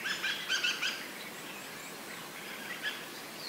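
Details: Dusky thrushes from a big flock flying around, a cluster of bright squeaky chattering calls at the start, then quieter scattered notes over steady background noise.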